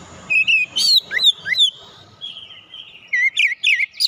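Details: Fighter-character Oriental magpie-robin (kacer) pouring out quick, varied whistles and chattering flicks, the phrases running almost continuously with brief softer gaps.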